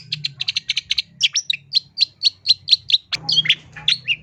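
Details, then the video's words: Long-tailed shrike singing energetically with full mimicked phrasing: a quick series of high, clipped chirps, then spaced whistled notes and a harsher burst near the end, over a soft low background hum. "CENDET GACOR FULL ISIAN"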